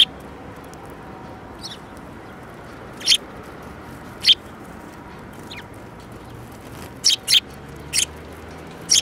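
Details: Several sparrows, one with a yellow beak, on 15 February 2018, giving short sharp high chirps, scattered singly and then in a quick cluster near the end, over faint background noise.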